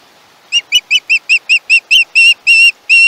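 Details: A juvenile osprey on a Chesapeake nest, 21 August 2019, repeats a dozen high, thin screeches, first clipped and quick, then drawn out into longer piercing whistles.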